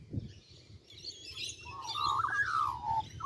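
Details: An Australian magpie in a tree in Kings Park, Perth, gives a brief run of mellow, fluting notes that rise and slide down over about a second, over soft high chatter and a low background rumble.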